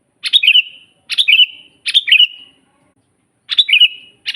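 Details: Master recording of a lively sooty-headed bulbul for training birds to sing: five brisk bubbly whistled phrases, each opening with a sharp burst and sliding into a drawn-out tail, coming in quick succession with one longer pause.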